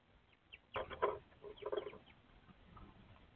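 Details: Eurasian Tree Sparrow at a nest box in spring (30 April) during egg-laying, pair calling to each other: a few short, harsh chirps in two quick bursts, about a second apart, over quiet background hiss.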